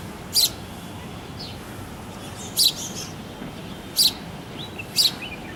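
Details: Early-morning house sparrow on a Sony handycam: four loud, short, high chirps, the last two close together, with faint twittering between them and a soft steady background hiss.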